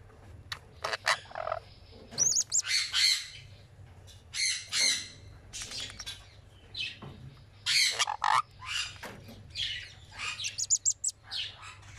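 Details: A 10-day-old sun conure chick gives harsh, raspy squawks in quick bursts with brief pauses between, while being fed.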